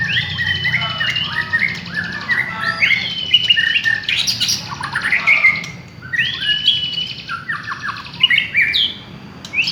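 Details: Village white-rumped shama in full song, used to provoke other birds: continuous clear whistled phrases, quick slurred runs and rising sweeps, a brief pause near the six-second mark, then more fluty and chattering notes.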